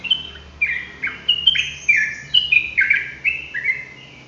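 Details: Sooty-headed bulbul in rapid-fire ropelan style song: a quick run of bright, slurred whistled notes, many dropping in pitch, delivered about every half second with no pauses. Only faint low hum lies underneath.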